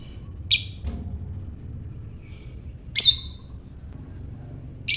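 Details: Lovebird calling in the ngekek style, used to provoke other lovebirds into calling: three harsh, shrill chattering bursts spaced about two and a half seconds apart, with a faint low hum underneath.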